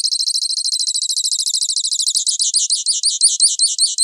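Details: Grassland yellow finch (Sicalis luteola) song: a fast, high buzzy trill of repeated notes that slows midway into distinct looping chirps, steady and clean with no other sounds.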